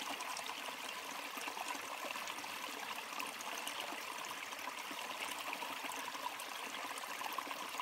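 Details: Steady rushing and gurgling of a stream in the Cathedral Ranges fills the recording, with no birds or other animals.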